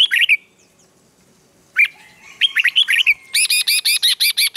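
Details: Red-whiskered bulbul morning training song to provoke newly caught birds into fighting song: a brief warbled phrase, a pause, more slurred phrases, then a rapid even series of about ten sharp notes.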